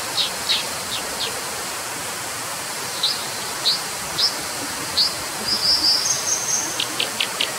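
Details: Brown dipper giving short, sharp high notes in loose clusters, then a thin, high sustained whistle near the end, over a steady rushing hiss.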